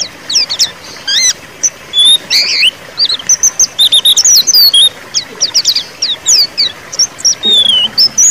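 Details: White-eye song in the ngeriwik manner, played to get a quiet bird singing again: busy high-pitched twitter of quick slurred notes in near-continuous bursts.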